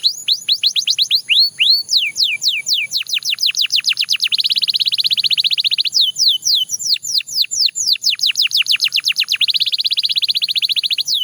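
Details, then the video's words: Belgian canary in sustained song: repeated falling whistled sweeps alternate with two long buzzing rolls, then return to looping sweeps, with no break for eleven seconds. "The Most Effective Canary Singing Sound – Belgian Canary Edition"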